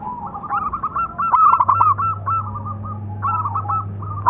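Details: Zebra dove of local stock with a big voice calling to train other doves: continuous rolling coos broken by a loud rattled burst of fast notes, then another rolling phrase, with a faint background hum.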